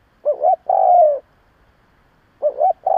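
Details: Spotted dove used as a decoy to provoke other doves, cooing in low phrases: a quick warbling double note, then a long, smooth, slightly descending coo. The pattern starts again after a silence of over a second.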